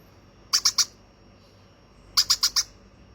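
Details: Hand-fed baby conure giving two bursts of harsh, high squawky calls, three then four short notes in quick succession, in a quiet indoor room.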